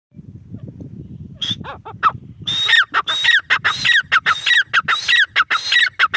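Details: Teetar, the grey francolin: a few hesitant squeaky notes over low rumbling background, then a loud rhythmic series of harsh, high, whistle-tipped calls repeated quickly and evenly.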